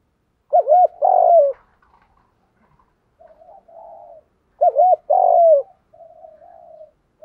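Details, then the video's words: Spotted dove, male and female, giving 'thúc gù' coos used to get other doves cooing: two phrases of a wavering double note and a long falling coo, each followed by softer low murmuring notes. "Giọng chim cu gáy thúc gù bài bản, dùng để anh em mở lên luyện mồi và bổi gáy theo và kích cho gáy"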